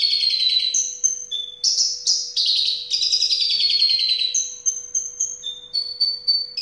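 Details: Singing Javan bush lark delivering dense, high, rapid phrases: buzzy slurred trills merging into clear repeated piping notes and short whistles, nearly unbroken throughout, over a faint constant electrical hum.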